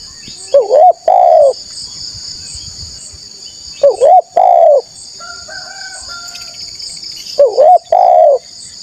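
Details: Loud, lively spotted dove lure call: three widely spaced phrases, each a quavering upturned coo followed by a full hollow note. A soft steady mid-pitched tone appears between phrases, and a high whine persists.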